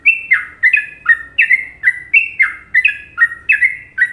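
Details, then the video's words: Indonesian sooty-headed bulbul in the well-liked Trucukan song style, giving a steady chain of mellow, slurred whistles, each note dropping in pitch, about two or three per second with no other sounds. "Masteran Trucuk Indonesia"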